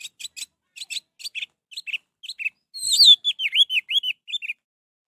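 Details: Orange-headed thrush, sound used to get a reluctant bird singing: spaced, repeated high chips building into a loud, warbled run of wavering, looping whistled notes.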